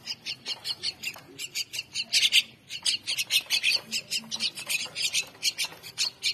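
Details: Hungry mynah chicks being fed, calling with fast, rasping, high squeaks in a continuous stream, several calls a second, with a louder, fuller burst of noise near the middle.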